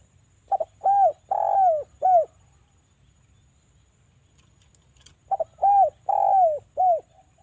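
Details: Javan spotted dove cooing as a lure for other doves: two matching phrases about four seconds apart. Each has a quick double pip, two arched coos, one long coo and a final short coo.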